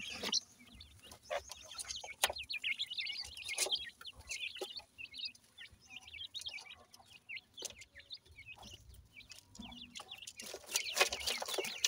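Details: Captive Indian Dakhni teetar chicks, the grey francolin, being fed; constant high, squeaky cheeping from many chicks with scattered clicks and brief rustling bursts.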